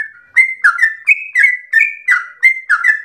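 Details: Yellow-vented bulbul in its long 'ropel' song, reminiscent of a straw-headed bulbul: a soft lead-in, then loud whistled couplets with a downward slur, a few every second, no background noise.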